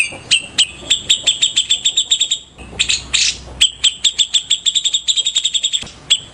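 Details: In morning song, a white-rumped shama alternates fast strings of sharp metallic ticks with a loud, harsh rasping burst, then returns to rapid ticking before a short pause.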